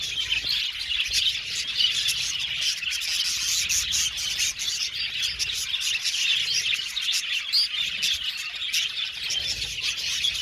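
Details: Aviary colony of Australian budgies singing and chirping; a steady, busy chorus of high twittering and short chirps runs without pause for the whole stretch.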